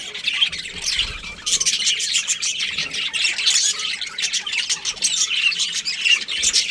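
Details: Breeding budgerigar pair: soft-starting then steady warbled chatter of high chirps and scratchy clicks running without a break.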